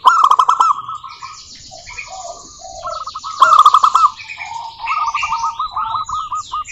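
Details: Zebra dove calls from local birds meant to start other doves singing: loud rolled notes at the start and near the middle, scattered short coos, and a closing run of evenly spaced staccato notes.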